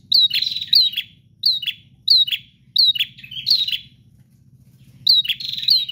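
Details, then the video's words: ['Vigorous bar-winged prinia song in loud bursts of two or three high, downward-slurred chips, separated by short gaps and one longer pause, over a soft low-pitched background hum.'] "Prenjak GACOR Ngotot Full Durasi Tanpa Jeda"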